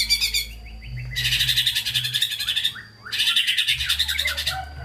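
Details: White-rumped shama in full, lively song with fill-ins, intended as a prompt for sluggish shamas: long dense bursts of rapid, harsh chattering notes alternating with brief softer slurred notes.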